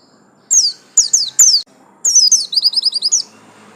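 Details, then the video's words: High whistled chirps from a home-kept Bustomi white-eye, yellow-striped: three separate falling notes, then a quick rippling trill of short repeated notes. "absen garis kuning pleci buxtomi"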